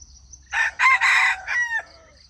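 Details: Junglefowl crowing to lure wild chickens into traps: a single loud, hoarse cock-a-doodle crow in four joined parts, the final note long and sliding downward, then quiet with faint distant chirps.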